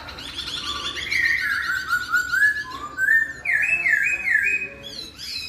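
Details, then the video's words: Melodious laughingthrush singing, answered within a minute by a quieter one: pure whistled glides descending then climbing, followed by a quick series of looping, rising whistled notes. "KICAUAN POKSAY YG MERDU MEMBUAT POKSAY LAIN LANGSUNG NYAUT"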